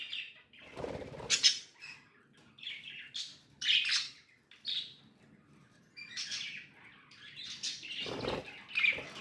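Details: Pet budgerigars chirping: bursts of bright, scratchy warbles and short tweets centred high, broken by brief pauses, with a couple of lower thumping knocks.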